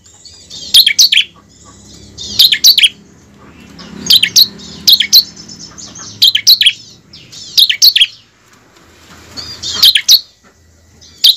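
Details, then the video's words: Lure recording of a bar-winged prinia for training kept birds to sing: seven bright clusters of high, clipped chirps spaced one to two seconds apart, each of three to four rapid notes, over a quiet background. "pancingan ciblek ampuh mempercepat ciblek gacor dan ciblek ngebren"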